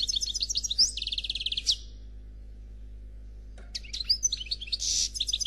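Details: Noir Khalwi goldfinch song, said to be faultless: a rapid chattering trill with a sharp rising note, a long pause, then twittering phrases and a harsh buzzy burst.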